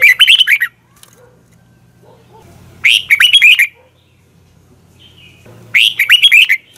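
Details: Red-whiskered bulbul morning training song: three short loud warbling phrases spaced roughly every three seconds, each a tumble of bright slurred notes, with a low hum beneath.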